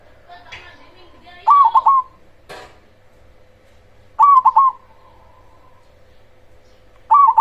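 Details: Zebra dove of the cemani type with a big voice, used to lure and provoke other zebra doves: short staccato cooing bursts repeated about every three seconds, with a faint click and a steady hum between them.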